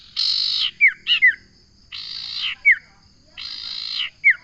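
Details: Common iora repeating a harsh, buzzy rasp, each followed by one or two quick downslurred whistles, three phrases roughly every one and a half seconds, with a faint steady hum behind.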